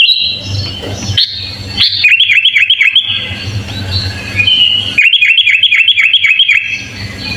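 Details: Sooty-headed bulbul (kutilang) giving full isian filler song as a master for training birds: two bursts of rapid, evenly repeated dipping whistles, about four per second, with a noisy rustling background between phrases.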